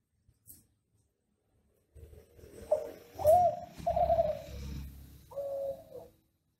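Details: Kelantan classic ringneck dove singing a tutor song for other doves: after near silence, a low rumble joins mellow coos, short rising notes leading into longer wavering tones, ending on one steady coo.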